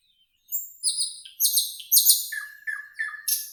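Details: Singing nightingale in a green forest: a few high thin whistles sliding down, then loud buzzy high phrases, followed by a string of lower fluty notes repeated about every third of a second, ending in a bright high burst.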